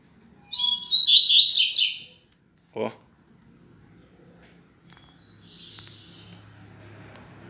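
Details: Caged male Rusty-collared Seedeaters kept indoors, one singing at the front while another answers from the back of the house; a fast burst of high twittering, buzzy notes lasting under two seconds, a sharp click, then faint distant trilling later.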